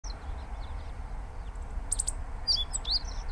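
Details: Meadow bunting (Emberiza cioides ciopsis) at Inbanuma Lake, Chiba Prefecture, Japan, giving short, sharp, very high ticks in quick bursts, some in a fast run of three, over steady low rumble of wind or distant traffic; finding: meadow bunting.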